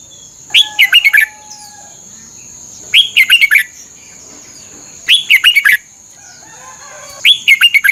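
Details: Red-whiskered bulbul song played for training caged birds in Thailand: four brisk phrases of five or six slurred whistles, each beginning with an upward swoop, repeated about every two seconds over a constant high hum.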